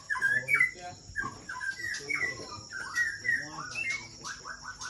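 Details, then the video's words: White-rumped shama (Aceh type) at Kandang, Ladong, Aceh Besar, Indonesia, giving a steady stream of varied mid-pitched whistles, short slurred notes repeated in quick succession with a faint constant high hiss behind. "Murai Aceh"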